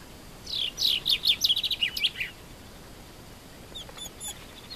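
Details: Common chaffinch singing in Morocco: a fast descending series of bright sweet notes, accelerating into a short flourish, lasting under two seconds, followed by a few faint distant chirps.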